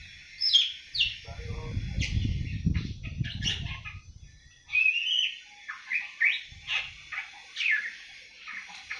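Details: Young awar-awar at seven months starting to sing: a few sharp chirps, a long low rustling patch, then a rising whistle and a quick series of scratchy twitters.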